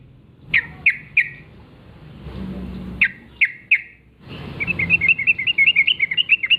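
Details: Yellow-vented bulbul, wild, singing in the morning: two groups of three emphatic downward notes, then a fast, rolling trill of short chirps over light background noise.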